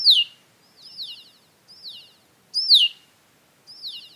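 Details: Male Red-winged Blackbirds in a marsh, shown a stuffed Cooper's Hawk, give the 'seeer' hawk-alarm call: thin, high, down-slurred whistles about one a second, several males overlapping and echoing one another.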